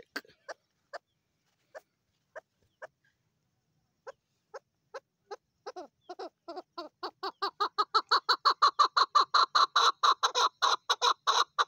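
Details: A female Chukar partridge begins with sparse single clucks spaced a second or so apart, then speeds into a loud, fast, rhythmic chuk-chuk chorus that carries on steadily to the end.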